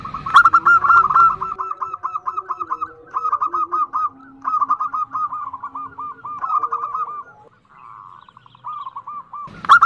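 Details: Female zebra dove calling the male in the nutut style: rapid runs of short, arched, cooing notes, several per second, in bursts with brief gaps, faint lower tones and a little background noise.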